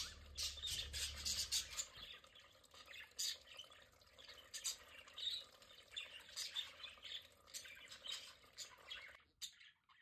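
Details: Pet budgerigars enjoying their play area: fast, dense chatter of high ticking chirps and squawks, several per second, with a low hum at the start, ending abruptly.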